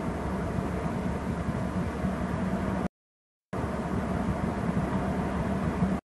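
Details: Broad hissing background noise, interrupted by a short silent gap, with no animal sounds audible.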